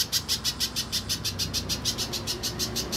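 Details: Lure recording of a spiderhunter meant to get other birds singing, with rapid high-pitched chips repeated about three times a second, evenly spaced, over a faint low background hum.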